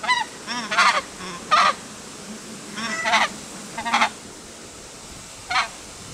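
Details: Emperor geese giving a busy series of harsh, nasal honks, several close together in quick pairs and triplets, then a lone call near the end, against a soft continuous hiss.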